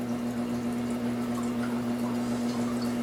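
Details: A steady low electrical hum over soft room noise in a small indoor space; no bird or other animal is heard.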